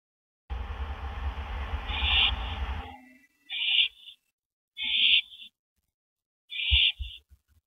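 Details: Owl pair at their nest on an April 2012 evening, 8:15 PM, as the male delivers a rabbit to his mate; a loud rustling scuffle gives way to three short, harsh hissing screeches spaced about a second apart.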